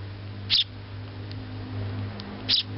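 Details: A baby Eurasian tree sparrow in Japan calls to its mother. Two short, sharp high chirps come about two seconds apart over a steady low hum.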